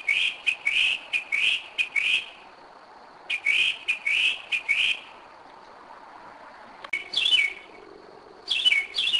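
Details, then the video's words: Singing in the dark at 2am in Kennesaw, Georgia, 2011, a returning Northern mockingbird repeats one rising-and-falling note several times, switches to another repeated phrase, falls silent, then adds sharper upswept notes. "Mockingbird 2am 2011"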